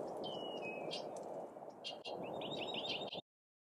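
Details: A Bushtit in a backyard in the Sierra foothills, California, on 8 April, gives thin, high notes: a drawn-out trilled twitter, then a quick run of short, sharp tsit calls, over a steady background hiss.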